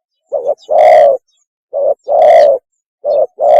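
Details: Spotted dove mating call, a lure recording: three phrases, each a brief coo followed by a drawn-out, booming coo, spaced about every 1.4 seconds. The long notes sound loud and distorted.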